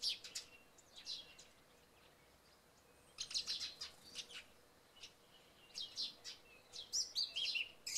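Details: Song thrush singing in early morning after night rain, in short, bright bursts of high whistles and chirpy notes with pauses between phrases, while sparrows chirp in the background.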